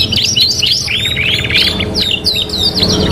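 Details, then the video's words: Short burst of canary song from a '3 in 1' tutoring mix: bright rising whistled slurs repeated a few times, followed by quick high chips, with low rumbling noise behind. "KENARI GACOR | CANARY SINGING"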